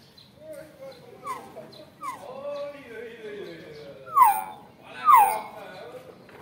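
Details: Nias hill myna, young and noisy, calling repeatedly. Soft sliding notes give way to two loud, sharp descending calls about a second apart near the end, with faint background noise.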